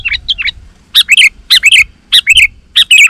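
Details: Energetic Sooty-headed bulbul song meant to lure wild bulbuls into answering: soft opening chirps, then loud paired bubbly whistled notes that drop in pitch, repeated in clusters roughly every half second.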